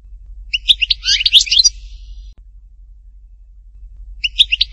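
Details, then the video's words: European goldfinch, htatba song from Tipaza, Algeria: one short burst of quick, high twittering notes followed by silence, then the start of another phrase. "chant chardonneret htatba tipaza حسون حطاطبة"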